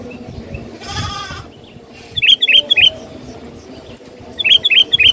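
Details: Sooty-headed bulbul lure song: a soft whoosh, then a quick burst of four sharp chirps, a pause, and another similar burst of high, clipped notes.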